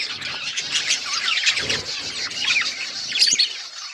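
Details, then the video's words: Budgerigars, kept as pets, chirping together: a dense, continuous chatter of scratchy, warbling chirps and squeaks from several birds at once, with no clear pauses. "Budgies chirping sounds and budgies talking"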